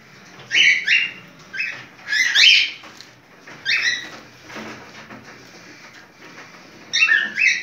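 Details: Breeding-condition cockatiel uttering mating calls: bursts of sharp, squeaky two-part chirps in quick pairs, broken by a quieter stretch of soft rustling before a final clear pair of shrill notes.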